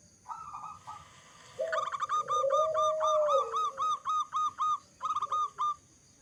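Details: Local zebra dove with a big voice, singing as a lure to get other zebra doves calling: a long low hum, then a quick run of clipped, repeated cooing notes with short gaps, over a faint hiss.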